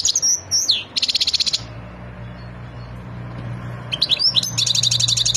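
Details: European goldfinch, a Wadani goldfinch, highly excited and ready to mate, gives two bursts of high twittering song with slurred whistles and rapid buzzy trills. A quiet gap with a low steady hum falls between them.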